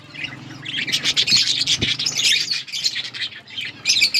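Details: Colourful budgerigars chattering in a steady high warble of fast twitters and squeaks, with a low steady hum and a couple of soft knocks in the background.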